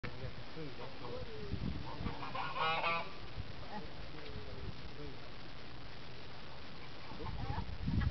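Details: French geese recorded in 2015, one short nasal honk with stacked harmonics near the third second, over steady low rumble and background noise, with faint voices.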